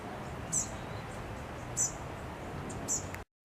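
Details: At San Francisco Zoo, a White-crowned Sparrow fledgling gives thin, very high chips about every second. It is begging for food while its mother feeds a sibling perched higher, over a steady rushing background hiss.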